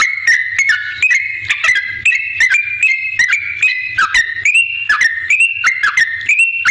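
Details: Yellow-vented bulbul in strong song, meant as a lure to make other bulbuls respond; bubbly whistled notes rise and fall in quick succession, roughly three per second, with crisp ticking sounds throughout.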